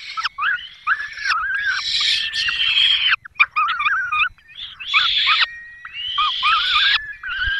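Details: Peregrine falcons at their nest, Barycz Valley, 5 May 2022, with the female feeding chicks on a small bird the male delivered; repeated harsh wailing bursts with wavering tonal notes, about six outbursts with short gaps.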